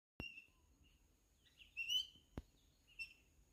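Oriental magpie-robin gives a few clear, sweet whistled notes, some sliding, spaced unevenly over about three seconds. A steady high hiss and two sharp clicks are also heard.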